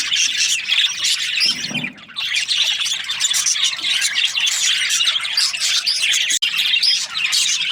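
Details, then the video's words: Budgies, Australian parrots, squawking and chirping in a dense flock chorus; a short low thump near two seconds and a brief dropout late on. "Australian parrot Budgies chirping sounds"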